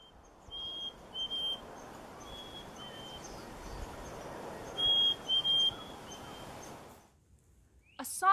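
Black-capped Chickadee giving clear, pure whistles: a higher note dropping to lower notes, repeated several times over a steady hiss of background noise.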